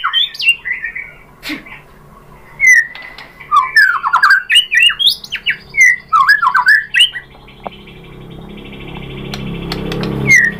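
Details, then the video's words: White-rumped shama lure song to provoke a reply: clustered loud whistles and sharp upslurred notes for several seconds, then quieter with background hum. "MURAI BATU jadi NYAUT GACOR BONGKAR ISIAN ¦ PANCINGAN MURAI"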